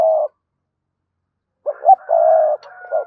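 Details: Spotted dove cooing to call its mate, a short coo then, after a pause, a blurred run of throaty coos over a faint steady whistle-like tone.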